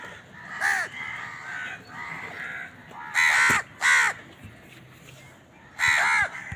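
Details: While eating, a house crow gives loud harsh caws as others contest the food: a caw, fainter flatter calls, then a close loud pair and one more strong caw near the end.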